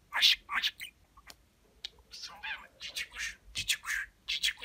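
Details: Pet budgie mimicking human speech, with kiss sounds featured heavily: breathy, whispery syllables strung into phrase-like groups, with sharp clicks and a short gravelly warble, indoors and otherwise quiet.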